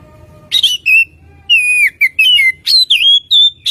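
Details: Oriental magpie-robin song used as a lure to make caged birds sing: a rapid run of clear, slurred whistles, several dropping in pitch, separated by brief pauses, with a faint low hum underneath.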